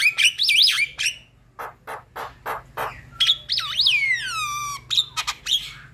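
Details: Javan myna song used to stir quiet birds into chattering: twisting squeaky whistles, a row of harsh rasping bursts, then a long falling, overtone-rich whistle and sharp clicks.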